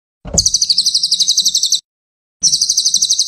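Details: Cililin song for masteran training of songbirds: a fast rattling trill of high, buzzy, evenly spaced notes lasting about one and a half seconds, then a brief gap and another identical trill begins.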